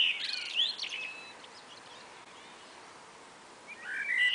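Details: Spring afternoon exchange between two common blackbirds: a dense scratchy twittering phrase opens, a long near-silent gap follows, then a clear whistled phrase starts again at the end.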